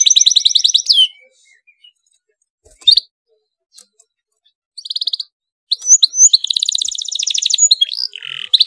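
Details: Canary singing an emotional, tight roll to prompt other canaries to answer: a fast high trill, then near-silence with scattered faint notes, a short buzzy burst, and a final dense rapid trill with sharp upslurs.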